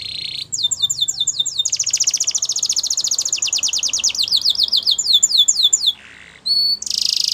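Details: Yellow canary delivering a training song: a buzzy opening, then a long, fast series of falling whistled notes merging into a rapid trill, a short low rattle and a harsh final burst.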